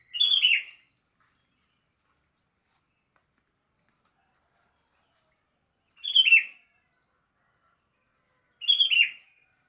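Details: In the morning a sooty-headed bulbul repeats a short, liquid, descending phrase three times, the repeats six and then about two and a half seconds apart, with silence between them.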